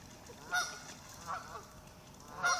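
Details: Warning calls from ducks swimming away from the shore of a lake as someone arrives: three short, nasal honks spaced roughly a second apart against a low, constant background hiss.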